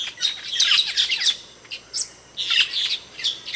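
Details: Asian glossy starling giving sharp calls: a tumbling cluster of shrill chirps and squeaks, a near-silent gap mid-way, then another bright burst of piercing notes and a final short squeak.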